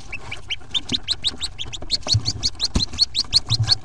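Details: Fourteen day-old Hooded Merganser ducklings peeping in their nest box on April 2, 2014. Sharp, rising high notes repeat quickly and unevenly, with soft knocks and scratching in the background.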